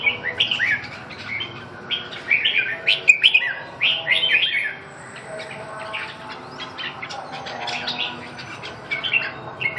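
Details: A red-whiskered bulbul keeps up an almost continuous run of lively warbling phrases. Quick, slurred, whistled notes come in clusters with brief gaps. A steady low hum sits underneath.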